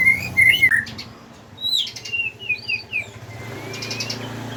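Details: White-rumped shama, Medan R9, caged bird in bowing display style, song used to stimulate birds in training: loud whistled notes, then a pause, then rapid chirps and swooping sweeps, ending in a long thin rising whistle; light background hum.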